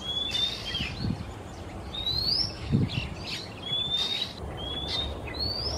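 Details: Singing male Oriental Magpie-robin in Singapore on a quiet afternoon. Sweet upward-gliding whistles come in quick succession, mixed with short rough bursts, and a low thud is heard midway against a hum.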